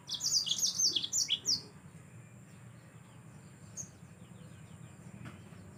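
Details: Yellow-fronted canary singing energetically, used as a tutor recording for cage songbirds: a rapid burst of high, bright twittering chirps and short slurred notes lasting under two seconds, then quiet with low background hum.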